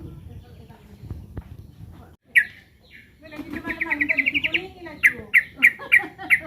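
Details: A threatened sooty-headed bulbul starts with a sharp note after quiet, then a fast even rattle of repeated notes and several spaced loud chips at a bright pitch.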